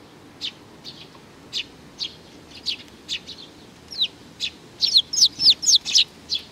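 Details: A baby sparrow, June 2019, beginning with spaced single chirps, then speeding into an excited run of loud, down-slurred, squeaky chirps near the end, about four a second.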